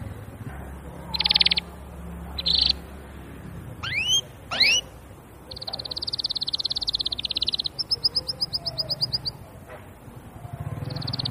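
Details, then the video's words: Canary singing a varied song: short buzzy bursts, two quick rising sweeps, then a long rapid rattling trill and a faster high roll, separated by brief pauses, over a low steady background hum. "تغريد الكناري بصوت جميل"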